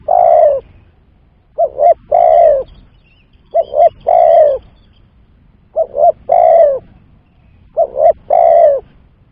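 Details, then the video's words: Steady series of spotted dove lure calls for trapping: five phrases about two seconds apart, each two clipped coos then a drawn-out descending note. "Pancingan Suara Tekukur"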